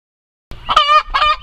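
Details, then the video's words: Chicken on the farm screaming during egg laying: after silence, two loud, strongly harmonic, wavering squawks, the first longer than the second. "Screaming Chickens, My Crazy Chickens love to Scream, The Funny Noises Chickens Make"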